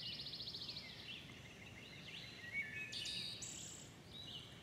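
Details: Wood thrush at dawn, giving a fast, buzzy trill followed by a downslurred note, then further liquid whistled phrases ending in high ringing tones. Faint background chorus and hiss.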